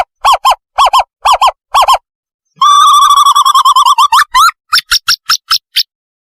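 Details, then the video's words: Owl call used as a lure for catching owls: pairs of harmonic, mid-pitched hooting notes repeated about twice a second, then a fast rattling run of notes rising slightly at the end, then a series of sharper, higher calls, against a clean silent background. "เสียงนกเค้า ต่อล่อ เสียงใส"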